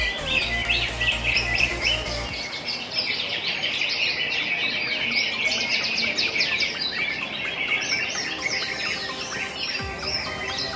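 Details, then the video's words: Several greater green leafbirds compete in a songbird contest class on 22/2/2022, singing at once in a dense, fast tumble of bright chirps, whistles and trills, over a low hum and faint voices. "kelas Cucak hijau"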